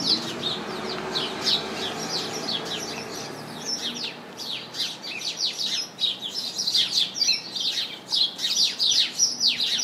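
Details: House sparrows chirping in a bush full of them, a dense, irregular stream of short, bright cheeps about two or three a second, with a faint low hum underneath.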